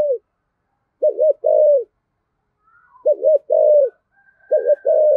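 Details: Three phrases from a deep 'giọng thổ' spotted dove, used to get wild-caught doves to coo in reply, each a quick hooked double note followed by a longer coo, separated by silent pauses; a faint high whistle behind.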